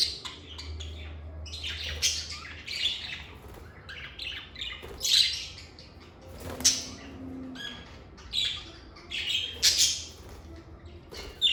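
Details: Captive lovebirds call in scattered bursts: sharp squawks and twittering chirps come irregularly every second or two, with short squeaky whistles among them and a faint low hum behind.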